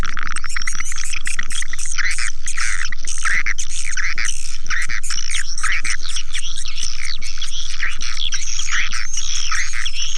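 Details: Swiftlet-attracting call: looping bursts of warbled, rising-and-falling chirps and thin whistles, set against an even ticking pulse of about four beats a second.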